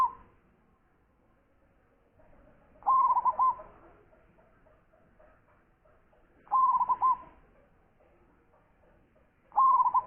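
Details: Local zebra dove, a champion bird with a big voice, in full song: three loud phrases of rapid, stuttering, mellow coos, each under a second long, repeated about every three and a half seconds over a quiet background.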